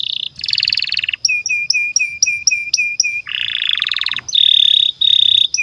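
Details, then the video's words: Canary song for tutoring young canaries and birds that have stopped singing: buzzy rolls, a run of evenly spaced clear chirps about five per second, then dense harsh trills and bright sustained notes. "SUARA BURUNG Kenari GACOR PANJANG INI Cocok untuk Masteran KENARI PAUD dan Kenari Macet BUNYI"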